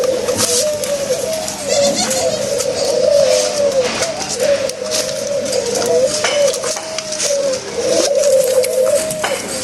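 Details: Pet doves kept in a cage, cooing in the morning: an almost continuous run of soft, wavering coos with small dips and rises, phrases flowing into one another, with faint clicks and household noise behind.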